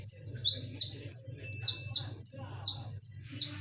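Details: Konin song used as a lure, described as sharp and loud with full 'tembakan' bursts: high thin whistles alternating with slightly lower slurred notes, about one each half second, over a low steady hum.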